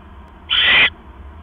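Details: One grating, breathy screech from an owl, roughly 0.4 seconds long, recorded at 7:24 PM on October 18, 2015, during a rat delivery to its mate, who swallows it whole. A soft background hum follows.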